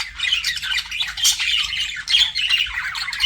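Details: Pet budgerigars flirting, giving dense scratchy chattering with bright clicks and short whistled notes, packed continuously without pauses.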